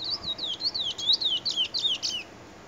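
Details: Trinidad bullfinch recorded in 2020 singing a rapid, continuous run of high, clear whistled notes that swoop up and down over about two seconds. Soft background hiss is heard throughout.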